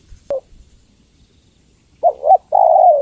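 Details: A female spotted dove calls toward the male, heard as a single phrase: a double hoot then a drawn-out sliding coo, after a sharp click near the start.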